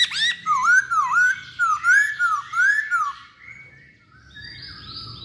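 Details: Chinese hwamei singing vigorously: a rapid chain of looping whistled notes, each swooping down then up, repeated about twice a second for three seconds, then trailing into faint softer notes and background hiss.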